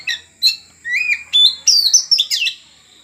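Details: Oriental magpie-robin (kacer) being trained to become tame: a loud, varied string of short whistled and squawky phrases, some rising and some falling, in quick bursts over three seconds, with a faint steady high hum behind.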